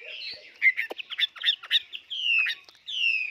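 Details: Tame caged Chinese hwamei giving harsh, chattering notes mixed with sharp clicks, then two long, clear whistled phrases that fall slightly in pitch.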